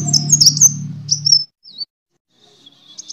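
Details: Sunbird fighting song used as a lure to train birds: a high, piercing twittering burst over a loud low drone, then a single thin slurred note and faint high trills.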